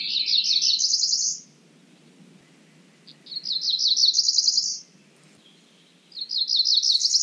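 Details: Cerulean warbler singing three times, each phrase a run of rapid buzzy notes ascending to a high buzzy finish, separated by short silences.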